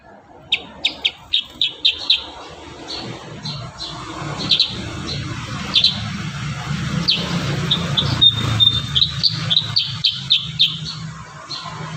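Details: Energetic kurincang song with varied content, recorded to train other birds: a fast string of about seven sharp chirps, scattered calls, then a whistled note leading into another quick chirp series, over low rumbling noise.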